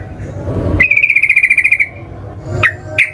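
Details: Sooty-headed bulbul in fighting song meant to draw responses from rivals: a single buzzy trill of about fifteen fast, even pulses at a constant high pitch, followed by two short sharp notes.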